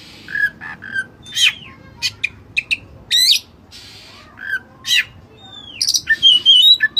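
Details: Oriental magpie-robin (kacer dada putih) delivering energetic song with cililin fill-ins for birds to learn from: short whistles, snappy upward strokes and a drooping whistled note, ending in a warbled high twitter.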